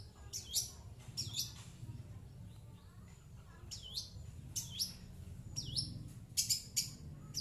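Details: Long-tailed shrike kept as a pet, replying to coughing, giving sharp, high, swooping notes in short bursts roughly once a second, separated by quiet gaps with low background rumble.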